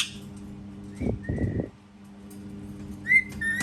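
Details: Pet parrot indoors, said to mimic cat sounds; two brief muffled bursts, then rising clear whistles near the end, over a steady low household hum.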